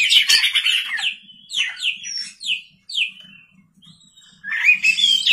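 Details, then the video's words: Oriental magpie-robin (kacer) singing constantly at night, a lure recording: loud bursts of rich whistled and chattering notes, then a run of short falling whistles, a quieter gap, and another loud burst of varied phrases; faint low hum beneath. "pancingan kacer gacor malam hari"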